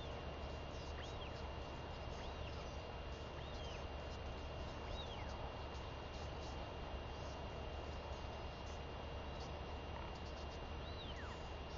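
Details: Northern royal albatross chick, a daughter, begging her mother for food as the mother returns to the nest after seven days at sea, 23 May 2021; arched rising-then-falling whistled calls repeat about every 1.3 seconds over steady wind rumble.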